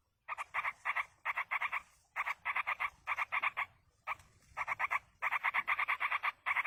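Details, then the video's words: Chicks of a wild yellow-vented bulbul beg while a parent feeds them, giving dense runs of raspy, buzzy notes in tight groups of three to six, almost continuous, with short breaks between bursts. "indukan burung trucuk meloloh anakan di alam"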